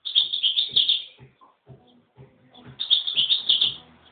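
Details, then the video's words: Goldfinches fighting: two bursts of rapid, jangling high twitter about a second long each. A quieter gap between them holds soft low thumps. "Goldfinch Fight"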